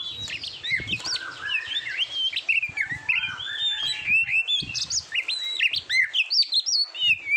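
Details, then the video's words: Oriental magpie-robin song recorded for training competition birds: a continuous varied warble of clear whistles, slurred rising and falling notes and quick chirps, delivered without pause. "SUARA KICAUAN BURUNG KACER TERBAIK"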